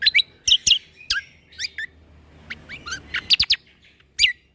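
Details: Greater green leafbird 'tembakan' tutor song for young white-rumped shamas: crisp, loud whistled notes sweeping up and down, delivered in short separated bursts with brief silences between.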